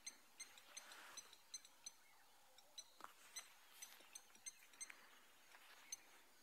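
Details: At sunrise on 3 March 2020 in Djuma Private Game Reserve, Sabi Sand/greater Kruger, Blacksmith Lapwings near water alarm-call at the vehicle with sharp, metallic anvil-like 'tink' notes in quick, uneven bursts about every half second against a soft outdoor hiss.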